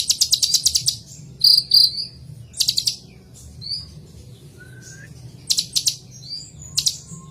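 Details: Kolibri ninja (purple-throated sunbird) sings rapid high ticking trills, then piercing thin whistled notes and brief chirped clusters, with quiet gaps and a low background hum.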